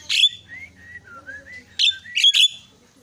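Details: A myna recording used as a lure to provoke mynas into calling: harsh, raspy bursts at the start and three more near the end, with thin whistled notes gliding between them.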